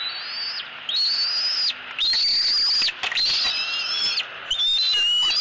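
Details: Eaglet at a tree nest in Southwest Florida, 3 April 2018, screaming at its mother for food as a fish arrives: long, high, thin squealing screams, each drawn out about a second, with short breaks between them.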